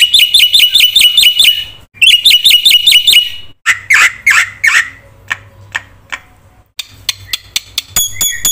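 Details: Energetic black-winged myna song meant as a training lure: clipped repeated whistles, then harsher slurred notes and scattered sharp clicks with quiet pauses between.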